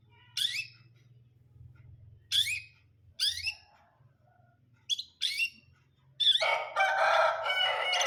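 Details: Long-tailed shrike, a brundol-type bird kept by enthusiasts, singing: sharp harsh rising notes spaced a second or so apart, then a dense burst of scratchy, mixed chattering phrases lasting about two seconds.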